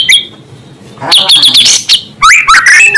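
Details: Loud white-rumped shama song meant to provoke rival shamas: a brief whistle, then a fast run of sharp chattering notes and rising slurred whistles in close bursts.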